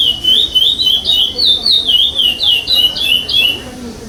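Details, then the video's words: Chestnut-bellied seed finch at a state singing competition, pardo song without repetition; bright whistled slurs, some jumping up sharply then gliding down, delivered in a steady rapid flow, faint room noise. "CURIÓ PARDO SEM REPETIÇÃO"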